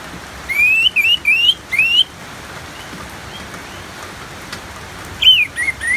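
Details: Orange-headed thrush singing a 'ngeplong' style song, used as therapy audio with natural rain sounds: short rising whistled phrases repeated in a burst, then a pause and a few descending slurred notes, over steady rain hiss.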